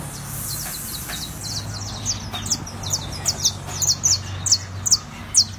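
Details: Saffron finch in warm-up song (fogueo or calentamiento): steady run of sharp, high, clipped notes, roughly two per second, growing louder toward the end, over a faint low hum.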